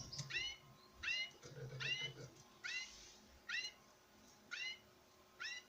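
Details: Male European goldfinch in a breeding setup displaying before a female, giving nasal, ringing, down-slurred notes about once per second, with faint rustling in the room.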